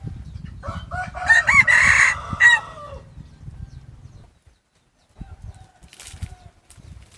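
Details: A decoy red junglefowl cock, set loose to challenge rivals and become fierce, delivers one long drawn-out crow of about a second and a half, followed by steady low rumbling.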